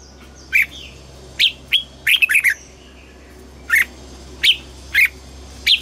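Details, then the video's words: Red-whiskered bulbul in morning voice training for double-note, old wild-bird style song, giving single clear chirped notes and a short double note, spaced irregularly about half a second to a second apart, over faint hum. "Luyện giọng cho chào mào hót sáng, ép chào mào hót âm kép già rừng hay tuyệt!"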